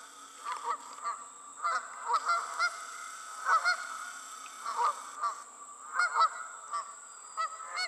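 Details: Several geese in flight honk in an uneven, overlapping chorus, harsh braying notes tumbling every half second or so, with a steady high electrical-sounding tone underneath.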